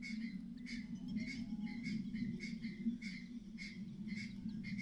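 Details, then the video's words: A mother myna warns of danger with a clattering alarm: steady series of short grating notes, roughly two per second, over a persistent low hum. "The mother bird is acting strangely, making a clattering sound—there may be danger nearby."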